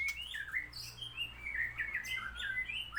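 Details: White-rumped shama in full song after its moult, fast varied warbling with whistled slurs, rising and falling notes and high bright accents, over a low steady hum.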